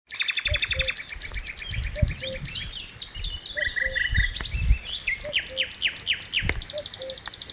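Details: Cuckoo, called pepuk, recorded in Dersim: a low two-note call, the second note slightly lower, repeated about every one and a half seconds beneath busy high-pitched songs and chirps of other birds.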